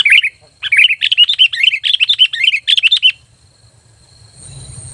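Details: Sooty-headed bulbul lure call said to make other bulbuls reply; a three-second rapid chatter of bright, bubbling chirps after one short opening phrase, then quiet with a faint hum.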